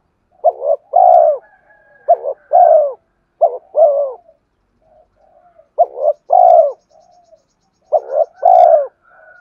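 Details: Repeated spotted dove cooing meant to lure wild doves: five phrases in steady succession, each a brief stuttered double coo and then a rounder, longer coo, with soft murmurs between them.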